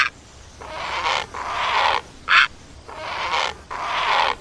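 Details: Great egret giving drawn-out harsh, grating croaks, four long rasping calls with one brief sharper note in the middle, each croak lasting over half a second.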